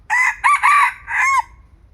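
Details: Crowing from a young red junglefowl decoy cockerel at a Thai trapping site, loud and rasping, broken into four parts ending in a descending drawn-out syllable, with only low ambient rumble beneath.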